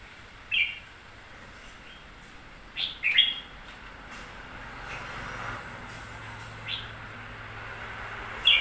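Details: Recently purchased red-whiskered bulbul giving isolated quick chirps and short warbled bursts at irregular intervals against a quiet, hissy background.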